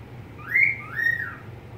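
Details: Pet budgerigar giving a single pair of smooth whistles, the first rising and held, the second arching down, with a low hum in the background.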